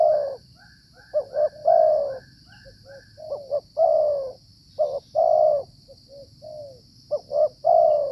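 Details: Tekukur, or Spotted Dove, calling in the wet season while being lured with a decoy. Its phrases are repeated: quick clipped double notes followed by a drawn-out descending coo. A faint thin whine hangs in the background.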